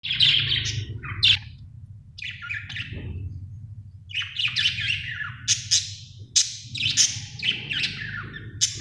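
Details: Happy budgerigar chirping in a small room: bursts of bright, scratchy chirps and short warbled notes, some rising and falling, with brief pauses between clusters and a low steady hum underneath.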